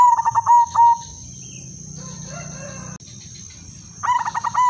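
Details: Silver hen zebra dove kept as a breeding lure: a couple of clear coos at the start, a quiet stretch with faint murmuring, then a new phrase of rapid stuttered notes near the end.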